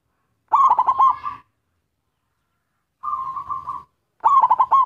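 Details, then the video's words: Local zebra dove singing actively to attract others of its kind: a burst of fast, quavering coos, a long silence, then an even murmuring trill and another stuttered cooing phrase. "Suara perkutut lokal gacor || ampuh memancing perkutut lain"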